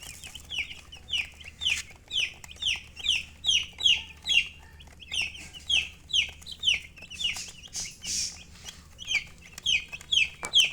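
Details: Colored chickens and a hen: loud, high, descending chirps come in a steady series of about two per second, sometimes doubled, over light clicks and rustling.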